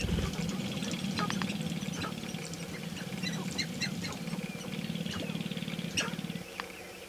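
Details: Sharp-tailed grouse courting in a mating dance at dawn on May 5, 2019, several birds; a low rattling pulse continues for six seconds with scattered clucks and a few higher squawks.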